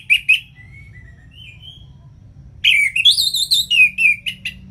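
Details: Orange-headed thrush, kept as a cage bird, singing to coax lazy birds into song; loud whistled and chattering phrases in bursts, a faint slurred whistle in a quiet gap between them, low background hum.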